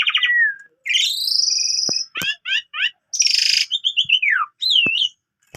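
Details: Asian pied starling giving a mimicry-packed song at dawn as a canary tutor: a falling whistle, a long up-sweeping whistle, a string of quick chirps, a harsh buzzy burst and twisting liquid notes, with faint clicks.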